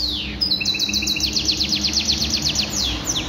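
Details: Canary singing in goldfinch style: a fast, even trill of high, sharp descending notes, with a steady low hum and hiss behind it.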